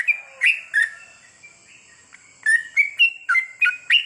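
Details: Sooty-headed bulbul at night, therapy singing aimed at long goklik song: a few chirpy whistles, a quiet gap of over a second, then a rapid string of liquid rising and falling notes over a thin continuous whine.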